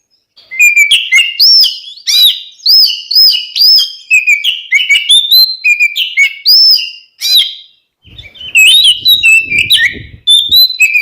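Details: Continuous Oriental magpie-robin song used as a lure to provoke rival birds: a long string of rich whistles, upslurs and twittering notes with brief gaps, and a few soft knocks in the background near the end.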